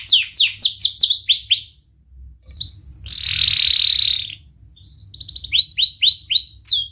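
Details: Canary singing as a lure for young canaries learning to sing. Quick sweeping whistled notes stop for a pause, then a harsh buzzy trill sounds, and rapid upturned chirps return.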